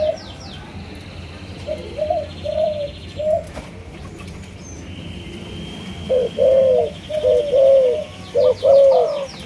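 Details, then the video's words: Spotted dove, Malaysian line, with scattered soft coos early, a quiet stretch, then a louder run of rhythmic paired coos; faint high trilling from another bird runs behind. "Cu Gáy Malaysia Nhiều Dòng"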